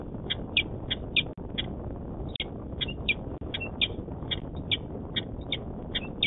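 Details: Male peregrine falcon at a nest in Manchester, New Hampshire, 26 February 2018, recorded on a live nest camera: sharp, clipped, high notes repeated two or three times a second over steady low rumbling background noise.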